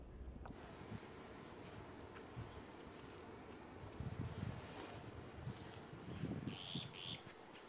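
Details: On 1 February 2014, a Japanese pygmy woodpecker pecking at a possible mantis egg case gives two short, squeaky, buzzy calls in quick succession near the end, over a steady low rumble of wind and background noise.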